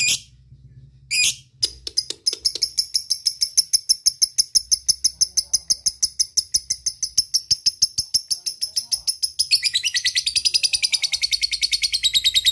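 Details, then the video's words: Lovebird giving its ticking 'ngetik' and chattering 'ngekek' calls to call companions: a rapid, steady train of dry clicking ticks, about three per second, under a shrill continuous high chatter that grows denser near the end. "Cik cik cik cer,suara lovebird ngetik ngekek dan memanggil kawan"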